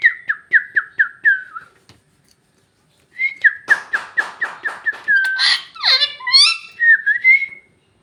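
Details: Bhojpuri-speaking parrot: a quick series of short whistled notes, a pause, then a longer run of clipped syllables that turns into rasping, speech-like sounds and ends in a warbled whistle.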